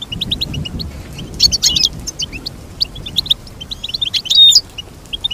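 Goldfinch song: a quick, tinkling twitter of high chirps and trills, with brighter liquid bursts every couple of seconds over a faint low hum.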